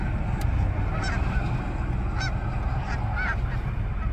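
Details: Twilight Canada geese honking at a distance: a few short nasal honks, spaced about a second apart, over a heavy low steady rumble.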